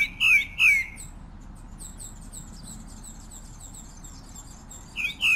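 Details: Song of the pale-breasted thrush, Turdus leucomelas: two loud, clear downslurred whistles in quick succession, then a quiet stretch with faint distant chirping, and two more whistled notes at the end.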